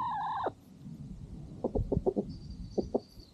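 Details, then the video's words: A chicken on a farm at sunset, with a farm dog eating nearby, gives a short harsh squawk followed by soft low clucks in a small burst. "Chickens and Rooster Singing"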